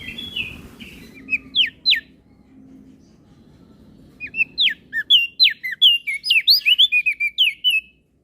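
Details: Crested white-eye, Flores, in full 'gacor isian' song meant to train other birds: a short warble and a few steep falling whistles, a pause with low hum, then a fast burst of sharp twittering notes.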